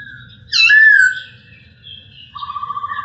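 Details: Masked laughingthrush tutor song: one loud, rich downslurred whistle, quiet warbles, then a fast buzzy pulsed trill repeated evenly to the end, over a faint steady hum.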